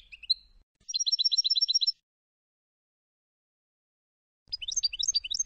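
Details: European goldfinch from Tunisia, Sfax-style song for tutoring: a brief twitter, then a fast run of about a dozen evenly repeated high tinkling notes, a pause, and another quick jangling trill.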